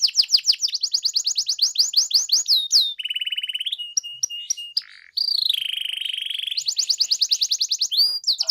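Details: Gacor canary song meant to draw out hesitant singers: rapid chopped trills, a low buzzy roll, scattered clipped whistles, then another long rasping roll and fast repeated notes.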